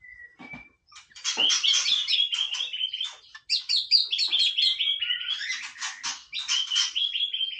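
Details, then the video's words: White-rumped shama in casual song: a thin opening whistle, then a long, dense, jangling stream of fast twittering and whistled notes held at a fairly even pitch. "นกกางเขนดงร้องเล่น Shama Bird"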